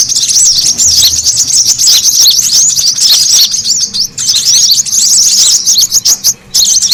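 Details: Lure call of brown-throated sunbird for attracting birds: thick, high-pitched chattering twitters, with a short drop around four seconds and another brief gap near six and a half seconds.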